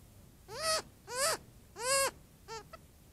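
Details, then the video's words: Adolescent Cooper's hawk visiting a desert critter watering hole during hot days, begging from its mother: three drawn-out, whining, slurred cries rising then dropping, followed by a shorter cry and a faint clipped note. "Young Cooper's Hawk Complains to its Mom"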